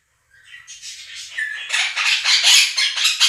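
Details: Quaker parrots, two kept as pets, outcalling a played recording of budgies; calls begin softer and build into loud, rapid, grating screeches repeated about twice a second.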